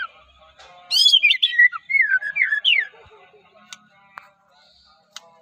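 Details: White-rumped shama from Medan, a caged songbird, giving one loud phrase of high sweeping whistles and twisting notes lasting about two seconds, then near quiet with faint clicks.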